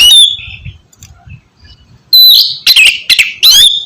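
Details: Oriental magpie-robin (kacer) singing as a prompt for a sluggish bird; an opening whistle, a quiet pause with faint low sounds, then a burst of loud sliding whistles and rasps.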